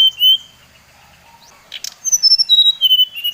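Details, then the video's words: Bali brown-chested jungle flycatcher singing a lure song meant to rile rivals: one short whistle, a quiet gap with a soft click, then rapid pure whistled notes sliding downward in a falling run. "Suara SRDC Bali Paling di sukai srdc lain | Pancingan Srdc bikin srdc lain naik emosi"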